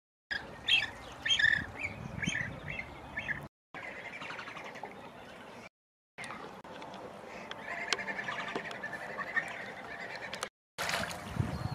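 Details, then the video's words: New Zealand scaup in a large group in spring breeding season give a few soft, high chortling, chirping whistles early on, then a steady hiss of water and wind with abrupt cuts; a distant chainsaw may be present. "Scaup diving duck sounds"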